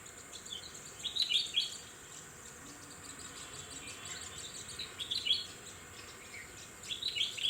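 Red-whiskered bulbul giving short bursts of bright, chirpy notes, three phrases a few seconds apart, over a steady high hiss of insects.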